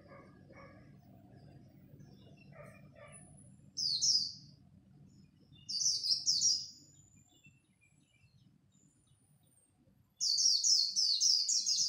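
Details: At dawn a Japanese white-eye competes in the khuyên líu song style. Three shrill, quickly falling twitter phrases come in separate bursts, the last the longest, over faint low background noise and a few softer chirps early on.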